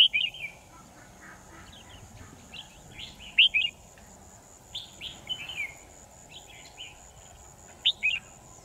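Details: Red-whiskered bulbul decoy used for trapping, 10 December 2018: loud, crisp whistled phrases of slurred chirps, delivered in spaced bursts about every one to two seconds, with a faint steady background tone.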